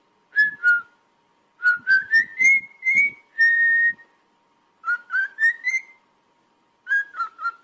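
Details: Whistling pet cockatiel: bursts of short notes stepping upward in pitch, one long held whistle in the middle, then further rising runs after quiet pauses.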